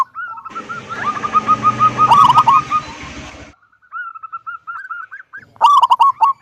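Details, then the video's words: Local zebra dove with a large "kung" voice, singing to prompt other doves: repeated soft coo notes partly masked by a stretch of broad rushing noise, then a clear, loud, clipped phrase near the end. "Perkutut lokal gacor suara besar - SUARA KUNG"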